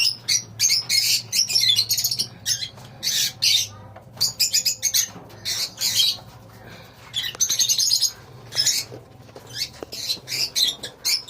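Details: Lovebird colony chatter: repeated bursts of piercing, high twittering from several birds, separated by brief gaps, over a faint low hum.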